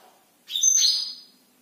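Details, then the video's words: A single loud high whistled burst from a Black-throated canary singing at night, a sharp note followed by a buzzy falling trill, with quiet before and after. "blackthroat gacor malam hari"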